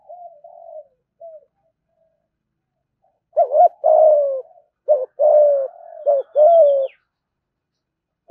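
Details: Spotted dove giving 'thúc gù' cooing, a fast call said to draw wild doves to the fighting perch. Faint soft coos come first, then a burst of loud low coos: clipped double notes and drawn-out, slightly falling hoots.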